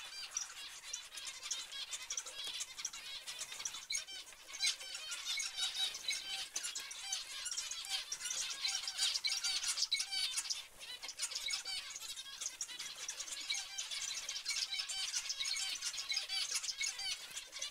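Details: A steady chatter of many zebra finches: quick nasal, honking chirps overlap continuously, with soft background rustle and occasional flapping.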